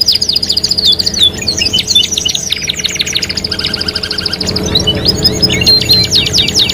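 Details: Canary song in a lure mix for encouraging singing: varied high trills, a fast mechanical rattle, whistled notes, and sweeping chirps, with faint low background rumble in the second half.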